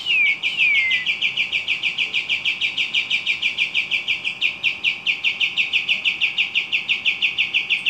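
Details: Javan kingfisher in active voice, opening with two quick falling whistles, then a steady, rapid, even rattle of high buzzy notes that carries through the whole eight seconds without a break.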